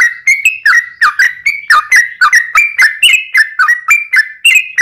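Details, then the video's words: Long rolling yellow-vented bulbul song of the 'ropel' style for luring other bulbuls to sing: rapid, evenly paced series of bright whistled notes that step up and down in a bouncy pattern. "trucukan gacor ROPEL PANJANG buat pancingan trucukan agar bunyi"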